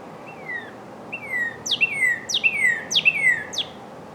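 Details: Northern cardinal song: clear, downward-slurred whistles, first spaced, then quickening into a run of about five linked phrases, each opening with a steep high sweep, over a steady low background hiss.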